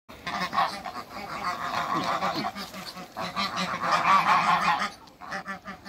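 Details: Toulouse geese on a farm in Greece, kept with three Muscovy ducks when first meeting them, giving a loud, rapid run of harsh nasal honks that blend into a raucous chorus with brief pauses.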